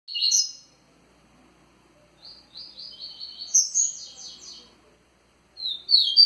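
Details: Rusty-collared seedeater singing a vigorous Tui Tui style song: a dense burst of high chirps, then a run of repeated buzzy notes building into a louder trilled phrase, with a fresh phrase starting at the end.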